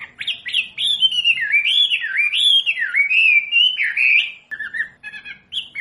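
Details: A wambi pours out a continuous warbling song of looping, rising and falling whistles, then breaks into short clipped notes. The recording is used to teach captive birds.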